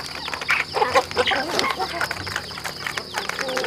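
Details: Chickens on a rural home farm at feeding time give quick, irregular clucks and short squeaky notes that overlap, with pecking taps and low background hum beneath.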